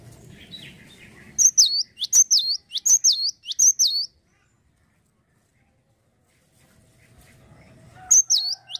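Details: Actively singing cinereous tit gives four bright, high whistled phrases of swooping up-down notes in quick succession, falls silent for several seconds, then starts the same phrase again near the end.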